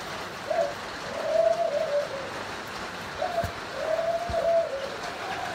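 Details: Male Spotted dove (Spilopelia chinensis) of a Thai breeding pair that mated successfully: two soft, low cooing phrases, each a short note then a longer drawn coo, about three seconds apart, over light hiss and faint taps.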